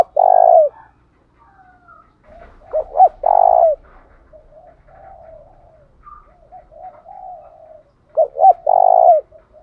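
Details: Spotted dove cooing to provoke wild doves: several strong phrases, each two short hooked notes and a sustained coo, with quieter distant dove coos filling the gaps.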